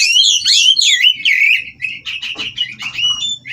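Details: Mating Oriental magpie-robins at a breeding farm, sounds to provoke rivals: opening rush of looping whistled notes, then a steady series of sharp repeated chirps about two per second, low electrical hum beneath.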